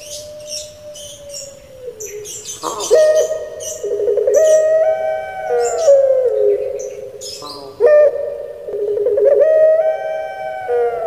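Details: Pet pelung-type Barbary dove from Indonesia singing its "crying" style: drawn-out tonal coos, held and gently wavering, broken by abrupt rising leaps about every few seconds, with faint high chirps behind.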